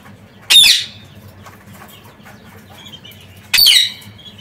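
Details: Parakeets loose outside their open cage for a day: two harsh, piercing squawks about three seconds apart, a third starting at the very end, low background hum between.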